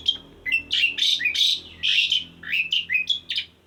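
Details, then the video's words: A male Asian pied starling calls a female with a run of loud, raspy, squawking whistles, each note sliding up or down and following the last in rapid succession. "kode suara jantan mangiil betina"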